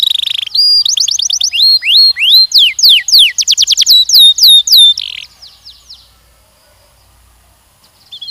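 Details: Young canary trained for mating sings repeated rising and falling whistled slurs in quick succession, then the song fades to quiet with a faint chirp near the end.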